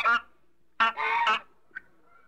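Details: African goose giving harsh, rich honks, a short blast then a longer drawn-out double honk, followed by a faint squeak.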